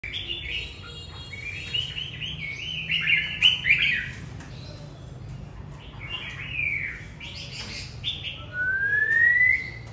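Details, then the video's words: Old caged white-rumped shama sunning in the afternoon after a bath, singing loud, varied whistled phrases in quick bursts, ending on a long clear rising whistle. "Phơi nắng chiều choè bổi già hót sổng"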